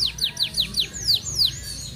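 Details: An F1 canary with training-contest wins sings shortly before moulting: a brisk run of about six falling whistled sweeps, then longer slurred downward notes.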